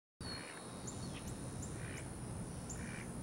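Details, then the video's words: A domestic Muscovy duck gives three soft, hoarse quacks, roughly one every second and a half, over a steady low rumble with faint high chirps. "Muscovy duck quacking"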